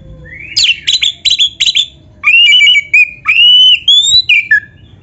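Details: Oriental magpie-robin song meant to stimulate caged birds to sing: a quick series of buzzy chips, then long pure whistles that rise and fall, ending with a downslurred note.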